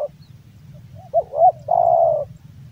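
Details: One cooing phrase from a male Javan spotted dove kept by a hobbyist: two brief wavering notes, then a drawn-out level coo about half a second long, over low background hum.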